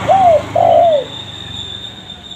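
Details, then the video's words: Spotted dove lure call. Two smooth coos, a short one and a longer one bending downward, over a steady hiss and hum in the background. "Suara Derkuku Paling Di idamkan Pemikat Tekukur - Suara Raja Pikat Tekukur"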